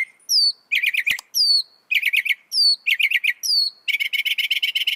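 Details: Northern mockingbird, a mimic said to copy up to 200 sounds, singing varied phrases: rapid trills near the middle of its range alternate with high slurred whistles, then a long fast rattling series at the end.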